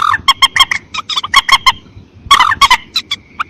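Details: Mandar Batu, the common moorhen, gives a dense series of harsh, nasal honking notes in quick succession over a low background rumble. There is one brief pause midway.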